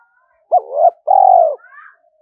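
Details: Spotted dove used as a decoy, calling to bring wild rivals in to fight: a short coo sliding upward, then a long buzzy falling note, with a faint thin higher sound after it.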